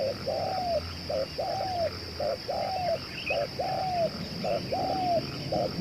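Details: Spotted dove used to lure wild doves, calling tirelessly: steady rhythmic coos, a short note then a longer arching one, repeated about once a second over noisy, rumbling background with a faint high hum.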